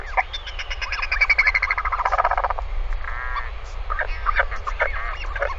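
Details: Northern royal albatross adult returned to the nest to stay overnight with its chick, recorded by a live nest camera on 20 May 2020: harsh, buzzy bursts and rapid clattering stacked notes, with thin arched whistles from other birds over steady low rumble.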